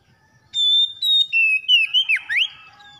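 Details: Lure song of an Oriental magpie-robin for a bird slow to sing: a loud, pure whistle, several shorter phrases stepping lower, then a dipping and rising flourish trailing into a soft tail.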